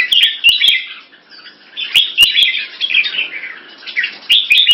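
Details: Caged Singapore-kept red-whiskered bulbul using short 'keke' calls while slashing its tail to test an opponent; bright chattering, warbled bursts come in quick clusters with brief pauses, punctuated by sharp clicking knocks.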